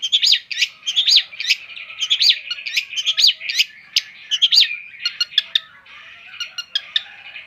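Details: Singing long-tailed shrike giving a fast series of sharp, scratchy chirps in a steady rhythm, then softer chattering trills fading toward the end.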